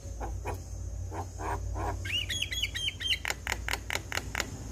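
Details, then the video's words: Javan myna song for rousing quiet mynas into song: soft rhythmic notes, then a quick warbled whistled phrase followed by a run of sharp chattering clicks, against a constant hiss and steady high tone. "Jalak Kebo Stres MAlas Bunyi Langsung Nyaut Dengar Suara Burung Jalak Kebo Ini"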